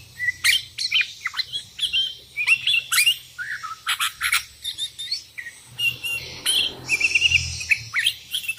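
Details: Sooty-headed bulbul calling rivals and answered by wild bulbuls: lively bursts of chirps, whistles and harsh notes from several birds across the whole stretch, with a quick trilled phrase near the end.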